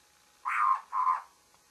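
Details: A babbler calls in the morning with two coarse, scratchy notes back to back, the second a little softer, in an otherwise quiet setting.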